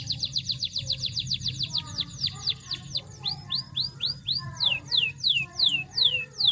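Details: Canary song to stir a canary that seldom sings: a fast series of high falling whistled notes that gradually slows and spreads out, with low hum beneath.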